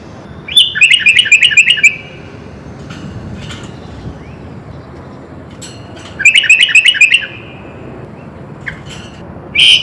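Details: Two bubbling phrases of rapid rolling whistled notes from a sooty-headed bulbul in full isian song, separated by a quiet pause of about four seconds, with a short loud note at the end.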